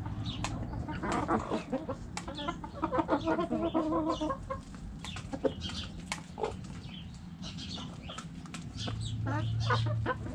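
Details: Backyard chickens in a coop, hens clucking in a busy overlapping chorus of short nasal notes and squawks, with scattered clicks and scraping noises.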